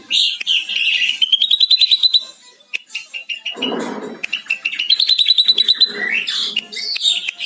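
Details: Ashy drongo giving long lovebird-like chattering for training other drongos: fast runs of high ringing notes rising in pitch, broken by sharp clicks and low harsh rasping bursts, then more rapid chatter.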